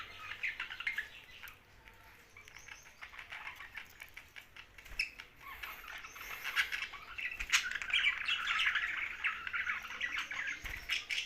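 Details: Young budgerigar from Larkana, Sindh, chattering in a dense run of scratchy chirps, quieter at first then busier and louder after six seconds, with clicking, pattering noises throughout.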